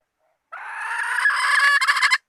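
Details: Hen call used as bait, 2020: one long, rising, rough cackling note that grows louder and breaks into stuttering pulses near its end.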